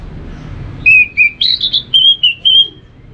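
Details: Orange-headed thrush (anis merah), a kept bird from North Bali, Singaraja, used to prompt other birds to sing in the morning; a run of seven or eight loud whistled notes, some slurred and warbling, climbing then levelling.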